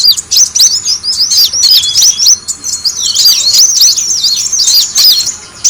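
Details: Bird-attracting recording of the brown-throated sunbird: dense, high-pitched twittering with slurred squeaky notes, nearly continuous throughout.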